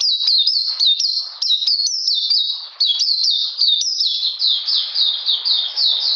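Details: Caged Oriental magpie-robin in cold, rainy weather, 13 June 2020, delivering a steady string of quick, high, falling whistled notes, evenly paced, later over a soft rushing background.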